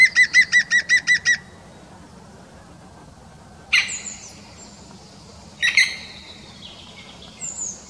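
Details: European green woodpecker: a quick run of seven clear, evenly spaced ringing notes at the start, then two harsh, broadband, rasping bursts a couple of seconds apart, and a faint final note; quiet background.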